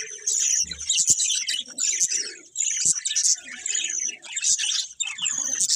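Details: Several colourful budgies chirping together in a dense, bright chatter of high twittering notes and warbles, with brief pauses and a few soft lower squeaks.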